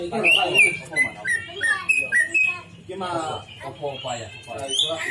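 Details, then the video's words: Greater green leafbird singing a lure song meant to draw out borrowed phrases: a series of clear whistled notes repeated about every quarter second, followed by lower, rougher chattering phrases and a final high whistle. "pancingan c,ijo bongkar isian"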